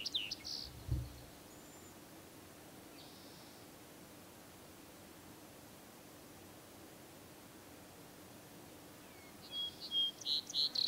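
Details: Vesper Sparrow singing at Mt. Pisgah, Lane County, Oregon, on 11 July 2003: a few thin scattered notes and a long quiet stretch, then a quick run of high sweet notes and trills.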